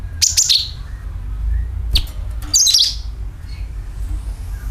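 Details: Sooty-headed bulbul lure call meant to draw in other birds: a few bursts of sharp, high chirps separated by short pauses, over a low constant hum.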